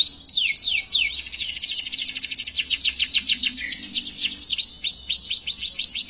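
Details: Long canary song in the gacor style with luxurious cengkok: a few falling whistles open into a dense, buzzy high trill, followed by repeated swooping notes about three per second.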